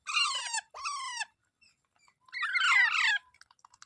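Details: Parrot making two quick grating squawks, then a longer, noisier screech, followed by light tapping sounds.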